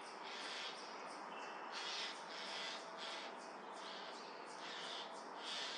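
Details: Eurasian jay alarm calls while mobbing a Eurasian eagle-owl: harsh, broadband rasping screeches in separate bursts, somewhat distant, over a steady background hiss.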